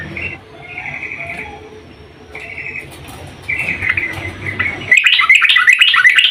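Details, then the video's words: Female sooty-headed bulbul calling the male: short bright chirped notes in quick bursts, then a denser run of sharp twittering notes toward the end over a low background hum. "Kicau trucuk BETINA memanggil JANTAN"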